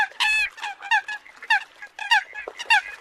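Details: Eurasian coot calling in the new migration season: a drawn-out nasal honk opens, then clipped honking notes follow about every half second, bright and harsh with strong overtones.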